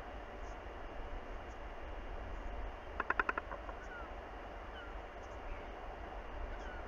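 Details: On 27 February 2021, a northern royal albatross on its nest gives a short, harsh burst of five or six rapid, rasping pulses to defend its chick, over a steady rumble of wind.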